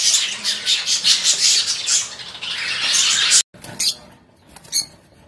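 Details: Lovebirds at a breeding farm, a dense flock chorus of shrill, high squawks and chatters pulsing rapidly for over three seconds, then an abrupt cut to a few softer, scattered chirps.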